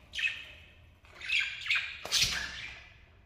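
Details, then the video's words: A lovebird pair giving harsh, rasping squawks, three descending screeches in quick sequence, the last loudest, above a soft low hum. "Enjoying a Charming Love Birds Pair"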